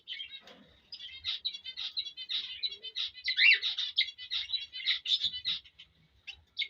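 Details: Courtship chirping of a male cockatiel for a female, meant to stimulate mating: a fast, continuous stream of short high twittering notes with one prominent slurred whistle near the middle.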